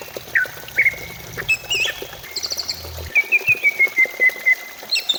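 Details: Greater green leafbird song, a lure to make birds sing sooner. Scattered whistled notes and a brief buzzy trill lead into a steady series of about eight short, even chips. A low hum runs underneath.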